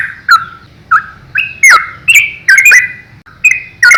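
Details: Lively yellow-vented bulbul song in the 'ropel' style, intended as master song for young birds: soft fluty notes build into louder bubbly, chattering phrases spaced irregularly, with faint background hum.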